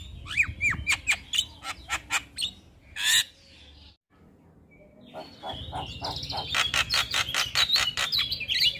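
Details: Morning song of a male Javan myna, full of fill-in phrases: quick chattering notes and looping whistles, a brief silence, then dense rapid clicking chatter mixed with higher squeaky whistles.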